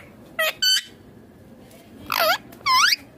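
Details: Indian ringneck parakeet, a green talking parrot, giving two short harsh squawks close together, then two longer arched screeches after a pause, in a quiet room.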